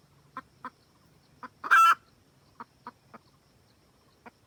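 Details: Red junglefowl hen in the wild calling for a rooster, a trapping lure sound: scattered soft clucks around one loud, strained, rasping cackle note.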